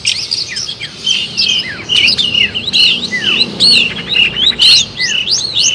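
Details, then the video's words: Lure recording of a long-tailed shrike for bird trapping: a lively run of looping whistles, sharp chips and falling slurs, delivered about once a second in an irregular rhythm. "suara kompilasi burung cendet gacor ampuh untuk pikatan"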